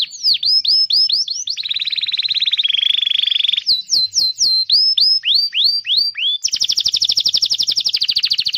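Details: Actively singing domestic canary offered as tutor song for young birds: repeated whistled upslurs alternate with a long low rolling trill, more upsweeps, and a final high rapid trill.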